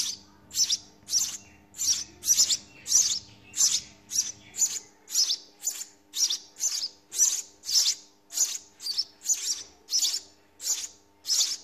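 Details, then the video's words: House sparrow nestlings being fed by their parents in the nest beg with high, thin, hissing chirps repeated almost twice a second, steady and insistent, with a faint low hum underneath early on. "Sparrow feeding babies in nest"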